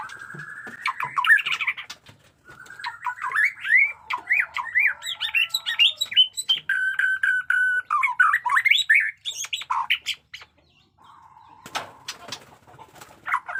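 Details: Jenggot Dewa white-rumped shama in fresh moult delivering a long run of rapid, varied whistled phrases, zigzag slurs and a steady held whistle, broken by harsh raspy bursts, ending in lower, quieter notes.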